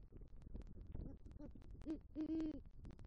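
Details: Male great horned owl at a nest tree in southwest Florida at night, November, bringing rodent prey and calling for the female: a few low hoots building to two stronger, steady hoots near the end, with crackling background noise.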